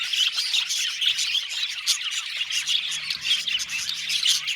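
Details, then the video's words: Aviary budgerigars chattering, with short squawky chirps jumping out of the constant high twitter roughly once a second amid the dense background of many birds. "Budgies Chirping sound"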